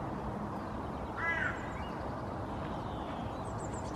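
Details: A female Hooded Crow sits in the nest giving the soft nest song; a short, throaty, harmonic note near the middle of the clip, with faint high twitters from other birds and constant background rumble.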